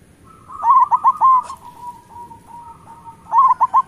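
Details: Local zebra doves as a lure to make doves sing: a loud group of ringing coos, then soft drawn-out trilling, and another loud burst of three notes at the end.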